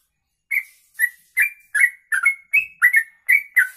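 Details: Kongslet-type sooty-headed bulbul (trucuk) in rapid long 'ropelan' song, a recording meant for training other birds: after a brief silence, a steady string of nine clear whistled notes with high ticking overtones.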